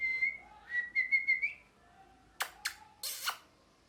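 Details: Parrot making a run of high whistled notes that stutter into short pulses and end on a slight upward slide. Several sharp broadband clicks or knocks follow near the end.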